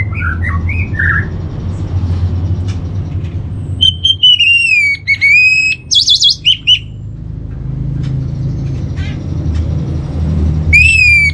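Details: Orange-headed thrush training song for steadying a kept bird's mood: short chirps, then clear sliding whistles and a buzzy trill separated by pauses, with a steady low hum underneath.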